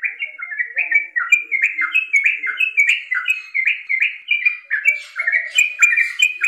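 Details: Yellow-vented bulbul (Pycnonotus goiavier) song: a steady run of bubbly, liquid chirps, several short phrases per second, rising and falling, with faint background chatter.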